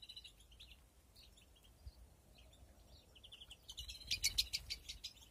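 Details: European greenfinches breeding in an aviary in 2021. Soft scattered chirps at first, then a loud cluster of sharp, rapidly repeated chirps near the end.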